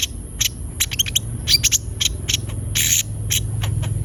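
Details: Quick, high, clicking and chippy notes from a konin, scattered in short clusters, serving as lure audio to prompt other birds to sing; a steady high whine and a low hum in the background.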